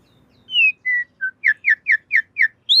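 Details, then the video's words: Asian pied starling song used as a master recording for training cage birds: a few clear whistled notes, each lower than the one before, then six quick descending whistles at an even pace, ending on a rising note. "Masteran Jalak Suren Anti Stress. Burung Pasti Nyaut"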